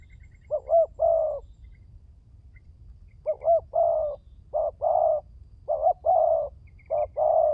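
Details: Repeated cooing of a spotted dove meant to get doves calling: one phrase, a gap of nearly two seconds, then four quick successive hoarse coo phrases; faint high twittering from small birds in the background.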